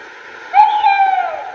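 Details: Tawny owl reference recording played back to confirm an owl heard outside: one long, mellow hoot held for about a second, steady then sagging slightly in pitch at the end, against a quiet background.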